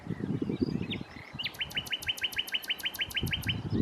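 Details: Common nightingale singing at Challow Hill, Corfe, on 4 May 2015; a couple of brief notes lead into a rapid, even series of about fourteen sharp repeated chirps, with a low rumbling noise underneath.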